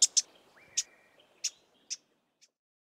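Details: Two Karoo scrub robins give scratchy alarm calls: six sharp, dry ticking notes at an uneven pace, with a faint thin whistle in the background.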